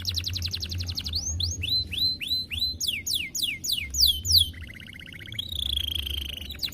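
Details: Canary with a 'semelet' style song, a bird other canaries reportedly answer at once: a fast high buzzy trill, then rapid rising-falling slurred whistles, a quick descending run and a long steady trill, over a low hum.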